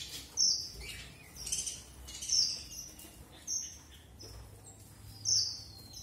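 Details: Strawberry finch (red avadavat) singing a run of sharp, very high whistled notes spaced roughly a second apart, some with a thin sliding tail, over quiet background.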